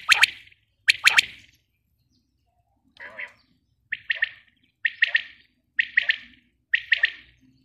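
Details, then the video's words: Female common quail giving clipped three-note calls, the first two phrases loud and sharp, then a softer note followed by five evenly spaced liquid triple phrases about one second apart. "female quail sound"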